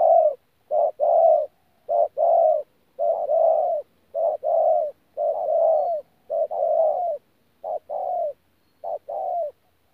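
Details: 'Bổi' spotted dove, Tu Mơ Rông, 14 January 2019, delivering a long run of 'thổ pha gù' coos. Paired low notes, a quick hoot and a longer hollow coo, repeat rhythmically nearly every second for ten seconds.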